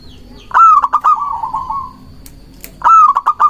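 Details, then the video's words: Singing local zebra dove, recorded to entice doves and stir rivals to answer: a loud stuttering start melts into a long rolling trill of soft coos, followed by another stuttered burst near the end. "Perkutut lokal gacor mengundang lawan bunyi"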